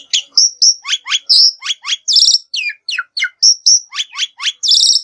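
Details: Lure recording of black-winged myna singing: a lively mix of clear level whistles and quick downslurred chirps, delivered in a brisk, slightly irregular rhythm.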